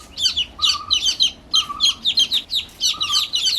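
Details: Brood of new baby chicks peeping in rapid, overlapping bursts of piercing high chirps, with a steadier, lower drawn-out peep recurring about every second.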